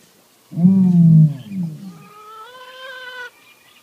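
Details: A male ostrich named Oscar claims his territory with a deep, rough, falling moan lasting about a second and a half, followed by a thinner, steady whine for another second.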